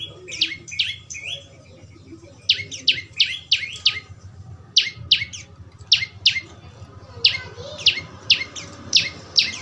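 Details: Young prinia calling, with the natural sound played to get a kept bird singing. Sharp, high chirps come in quick clusters of three to five, each cluster followed by a short pause, over a low background hum.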